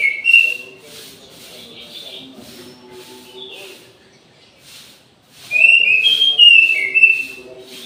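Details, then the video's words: Orange-headed thrush singing at midday in an aviary: two bursts of loud, clear whistled phrases with warbling twists, separated by several seconds of quieter background with faint distant bird notes and a steady low hum. "ANIS MERAH GACOR DI SIANG HARI"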